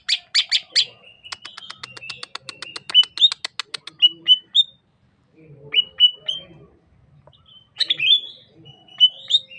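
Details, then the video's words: Varied song of a Sukamade greater green leafbird from Banyuwangi, East Java. Harsh chatter leads into a fast ticking trill that rises in pitch, then short pure whistles, pauses, and a final burst of harsh and whistled notes. "Suara Khas Cucak Ijo Sukamade ( Merubetiri )"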